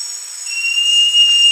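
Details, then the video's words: Great jacamar, also called jacamaraçu, giving a single long, clear, steady whistle that begins about half a second in and holds nearly level to the end, over continuous thin, high-pitched droning tones in the background. "O Canto do JACAMARAÇU (Jacamerops Aureus) Bird Song - Great Jacamar"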